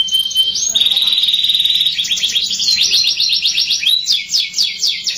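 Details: Canary singing to prompt young canaries to sing fast: a short whistle leads into a long buzzy trill, followed by choppy bursts of quick repeated slurred notes.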